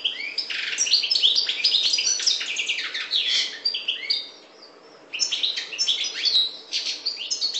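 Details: Song of a European goldfinch, parva race from the Maghreb: a long, lively cascade of sharp chirps, slurred notes and jingling trills, interrupted by a brief silence before the busy twittering returns.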